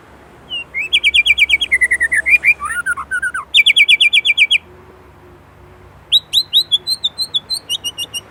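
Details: Indonesian white-rumped shama pours out rapid rattling trills of sharp repeated notes, a short jumbled phrase, another trill, a pause, then a series of upslurred whistles.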